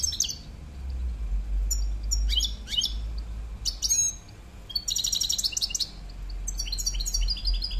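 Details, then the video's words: Male European goldfinch singing in bursts of high tinkling twitters, quick liquid chirps and buzzy trills separated by short pauses, over a steady low hum. "male chardonneret"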